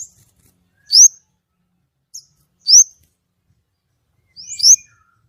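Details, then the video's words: White-rumped shama singing clearly: loud, ringing, upward-sweeping whistles, each with a soft lead-in note, repeated about every one and a half seconds with silent gaps. "kemade gacor nembak!!! suara jernih"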